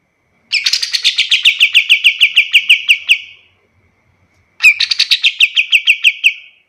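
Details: Kapas tembak song meant for teaching other birds: a long phrase of some twenty rapid, slightly descending chirped notes, a silence of over a second, then a second shorter phrase of the same notes.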